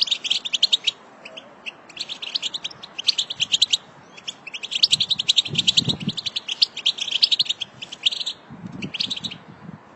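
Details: European goldfinch twittering, said to be a female's and played to stimulate other goldfinches into song, comes as rapid, high, liquid bursts of one to two seconds with short pauses, with a few soft low background thumps.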